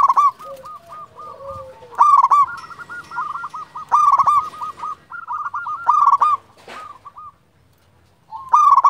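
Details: Local zebra dove, a vigorous champion caller, used to provoke other doves; clipped coos in quick rippling runs, with louder phrases recurring about every two seconds and a faint steady hum behind.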